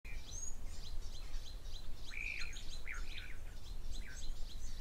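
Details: Blue waxbills at a pan, possibly with a grey-headed sparrow nearby, give thin, high chirps and short rising squeaks that overlap throughout, several small birds calling together over a steady low rumble.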